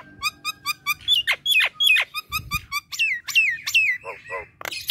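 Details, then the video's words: Nias hill myna singing in the chattering 'gacor kemrewek' style. Evenly spaced short notes give way to sharp falling whistles, then quick slurred and descending squeaky phrases, with faint low background noise. "JALAK NIAS || suara gacor kemrewek terbaru 2021"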